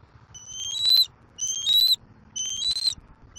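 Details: Young bald eagle on its Southwest Florida nest in April 2024, squeeing while claiming a fish brought by its father: three high, thin whistled squeals, each rising then level, roughly one per second, with quiet low background hum.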